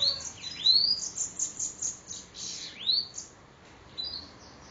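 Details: Bananaquit (sibite) singing in Parnamirim, Rio Grande do Norte: thin, very high whistled notes that swoop upward and downward in quick succession, loud bursts separated by brief pauses, ending with a softer high note.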